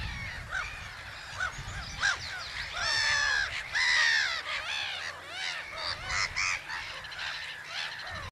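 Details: Black-headed gulls calling at Haaksbergerveen in Twente, Netherlands. A dense chorus of many birds gives short, harsh, downslurred cries and a few longer drawn-out screeching notes, overlapping continuously against faint low background rumble.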